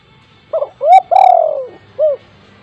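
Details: Spotted dove at home giving a lure coo to make other doves call: one clear phrase, a short opening note, an upswept coo, a long downslurred coo and a brief last note, in a quiet room.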